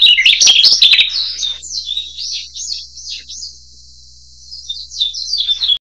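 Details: Narcissus flycatcher (Ficedula narcissina), song.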